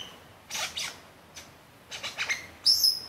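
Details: Superb lyrebird (Menura superba) showing off at the bottom of Martin's Lookout, Gembrook Creek, singing loud, rasping bursts of high notes in quick phrases, ending on a piercing, ringing whistle; otherwise quiet background.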